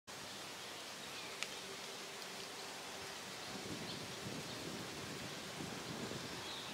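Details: Continuous broadband rustling, like rain or wind through leaves, fills the recording with one faint tap and no clear animal voice.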